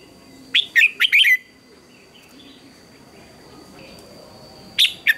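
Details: Morning contest song of a red-whiskered bulbul: a quick phrase of rich, looping whistled notes, then a pause of several seconds before another phrase begins, with a thin constant high hum in the background.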